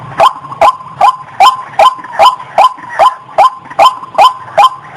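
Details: Loud repeated calls of a female white-breasted waterhen in heat before mating: about twelve coarse, nasal notes at a steady pace of roughly one every 0.4 seconds, with faint low rumbling underneath.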